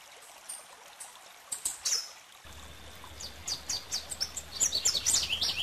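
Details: Rufous-capped warbler singing a quickening series of varied high chips and twittering notes. The notes grow denser toward the end, with a low hum and flowing-water noise in the background.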